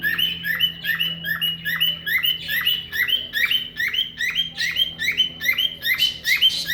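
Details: Car-alarm imitation by a cockatiel, a steady run of sharp rising-and-falling whistled notes repeated roughly every half second, growing louder and more strident near the end over a low background hum.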